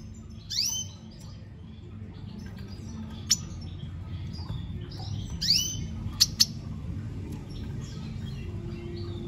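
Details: Red siskin singing a lot: bright high chirps and sharp rising-falling whistled notes in short bursts with pauses between, over a low steady background hum.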